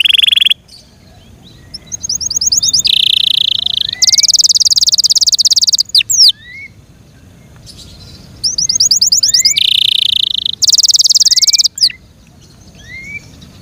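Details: Yorkshire canary song heard in bursts: fast buzzy trills and rolling rattles alternating with quiet gaps and a few soft rising whistles.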